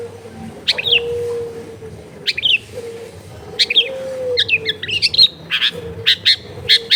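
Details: Long-tailed shrike lure recording made at home among dense housing: sharp chirps and twittering phrases spaced by pauses, growing quicker toward the end, over a steady low hum and background noise.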